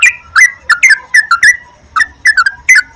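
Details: Sooty-headed bulbul (trucukan) lure song for morning, midday and night; short, bright whistled notes given singly and in quick pairs with small gaps between.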